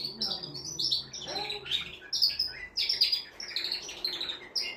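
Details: Male canary singing to prepare a female for mating: quick clusters of high chirps and buzzy trills in short phrases, with a soft lower note early on and steady bursts throughout.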